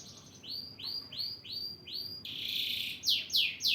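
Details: Male canary calling a female with a series of bright upward-sweeping whistled notes repeated about every half second, then a loud harsh buzzy burst and a few quick falling chirps.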